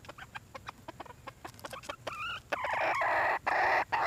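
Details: Hen red junglefowl: soft clicks and short notes lead into a wavering, whistled two-tone call, then sustained loud, rough, grating calls.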